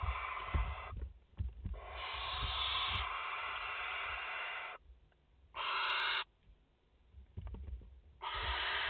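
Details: Live nest view in France, 30 August 2021, barn owl mother with four chicks: rough, breathy hisses of varying length, one about three seconds, then shorter bursts, with scuffling and soft knocks between them.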